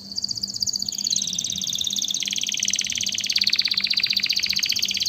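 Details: Singing canary, a recording meant to rouse breeding birds and teach chicks: a steady run of rapid buzzing trills that step down in pitch through several tours, growing louder and more clipped toward the end.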